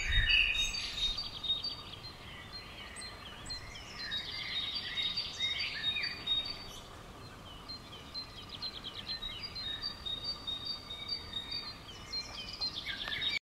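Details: Swifts, common swift 'bangers', calling around a house on 5 June 2011; thin, high, buzzy screams in scattered overlapping bursts through the recording, with a low steady rumble of background noise beneath.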